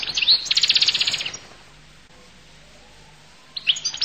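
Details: Goldfinch, Collo (القل) type, singing a short fast run of bright repeated twittering notes, then silence, then a brief new burst of tweets.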